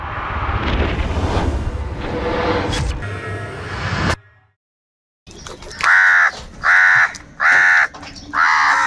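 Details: Crows fighting for food give angry calls: after a dense roaring burst of noise and a brief silence, four harsh grating caws follow one another at a steady pace, each about half a second long.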